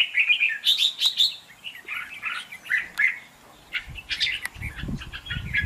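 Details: Red-whiskered bulbul contest singing, kept for luring birds into traps and prompting others to sing: rapid chattering, fluty phrases at first, then scattered notes with some low handling noise.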